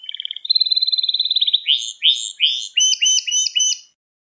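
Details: Canary training song aimed at young birds: an accelerating pulsed trill, then loud rising slurred notes and a closing set of high double whistles before falling silent.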